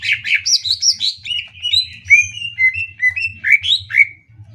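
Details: Greater green leafbird, master song for teaching other birds: a varied stream of whistled slurs and chirps, each note repeated roughly twice a second, over a low background hum.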